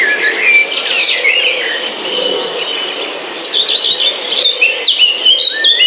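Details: Bird chirping in a forest atmosphere: a few thin whistles early, then a busier burst of quick high twittering notes in the second half, with a steady insect drone beneath.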